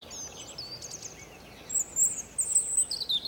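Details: European robin singing in the morning from a fir tree; thin, high, tinkling phrases start faintly, then louder sharp whistled notes and brief trills follow in quick, irregular bursts.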